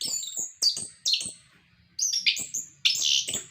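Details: Orange-headed thrush song, used to coax caged birds into singing: short very high whistled phrases with sharp attacks, repeated in brief bursts with small gaps.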